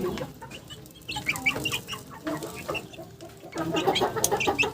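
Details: Several chickens cluck in a funny chicken sound sequence: short, harsh, repeated notes, some overlapping, quieter in the middle and then busier near the end, over a low background rumble.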